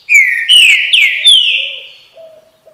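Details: Green-winged saltator (trinca-ferro) singing the song style known as "bom dia seu chico": four loud, clear whistled notes, each sliding downward, in quick succession, followed by a softer trailing tone.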